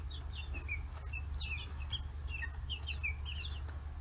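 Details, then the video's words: Forty-day-old free-range chicks at a farm in Kitahiroshima, Hiroshima, Japan, crowding around fish heads; busy overlapping high chirps, many short arched and falling peeps in quick succession, with a constant low droning hum underneath. "生後40日 魚頭に群がる中雛！chicks chirping sounds"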